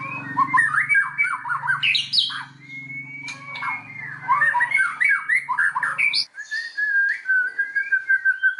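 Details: White-rumped shama song used as a lure for other shamas; varied jerky warbling and chattering, a long steady whistle, over a low hum that stops partway through.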